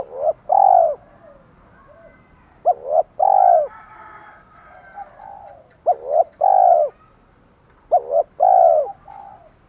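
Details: Challenge calls and hen calls of a spotted dove: three clear sets of two or three coos, each ending in a long, slightly falling note. Quieter overlapping coos sound between the sets.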